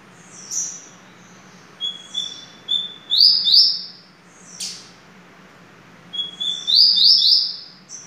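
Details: Family Sertão style song of a Double-collared seedeater. Two phrases of high thin whistles, each building into a loud, rolling, buzzy warble of quick looping notes, with a sharp click between them and a quiet background hum.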